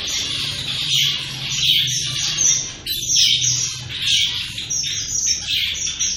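Shaft-tailed finches give high, thin chirps and soft twittering notes in an irregular stream, with a low hum underneath.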